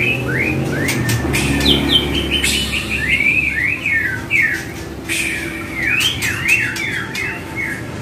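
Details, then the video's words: Murai batu (white-rumped shama) singing in a training track: rising and falling whistled phrases in quick zigzag runs, interspersed with loud clicks and brief bursts, over low hum. "Trek Murai Batu"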